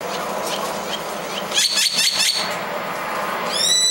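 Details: Great-tailed Grackles (identification uncertain), noisy birds that eat dog food and yell at everyone, give a burst of harsh, clattering rattles, then a few sharp, steeply rising whistles over a steady background hiss.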